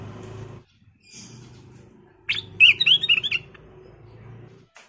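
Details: Sooty-headed bulbul song: a brief run of rapid, high, slurred chirps and twisting whistled notes lasting about a second, set against a low hum and faint background noise.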